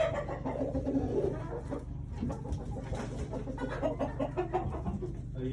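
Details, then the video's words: Several chickens clucking in an upset state, perhaps set off by a sneeze: dense overlapping low clucks and murmuring cackles running continuously, with turkeys possibly among the flock. "Chickens clucking upset, did a sneeze set it off?"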